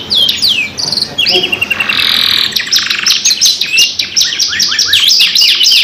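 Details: Canary lure song with two birds, meant to stimulate other canaries: sweeping whistles, a sustained buzzy trill, then a rapid run of sharp chirping notes.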